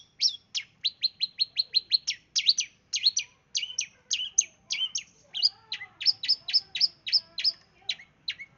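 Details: Rapid burst song of a long-tailed shrike from East Java, used as a lure for other birds: dense runs of sharp, high, chattering notes in quick succession, with a few softer notes below.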